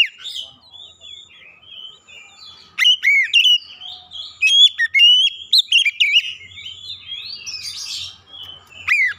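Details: Oriental magpie-robin lure song, meant to prompt quiet birds to sing, with sweet whistled phrases and sharp upslurred notes in bursts, softer warbling between, and a faint low hum late on.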